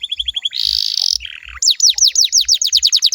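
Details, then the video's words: Domestic canary song used as a lure to get other canaries to answer: short rising notes, a rolled buzzy trill, a lower warbled tour, then a fast series of falling whistled sweeps, with faint low thumps beneath. "DI JAMIN KENARIMU BAKAL IKUT NYAUT KALO DENGERIN SUARA INI"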